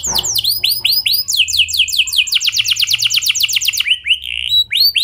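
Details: Canary pouring out a clear rolling song used as a lure for other canaries. It starts with swooping whistles, then gives a long rapid trill of high repeated notes and ends with more spaced, looping whistled notes.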